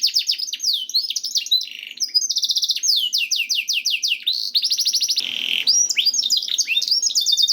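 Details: Canary performing a varied song intended to prompt other canaries to sing: quick downslurred trills and rolling tours, interrupted by a short harsh, noisy passage before the rapid phrases return.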